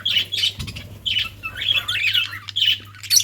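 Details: Budgerigars at play give short squawky chirps in quick bursts roughly twice a second, with a warbling run in the middle and a low thump at the start.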